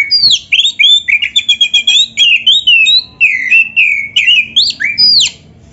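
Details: Loud, continuous Oriental magpie-robin 'gacor' song with a champion 'isian' fill, played to make other magpie-robins answer. A rapid chain of short, varied whistled notes, some buzzy and some slurred, runs for about five seconds.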